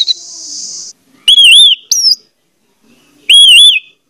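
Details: Orange-headed thrush song serving as a lure for a silent bird: a brief hiss, then well-spaced loud arched whistles, each rising and falling, with one short upward note between.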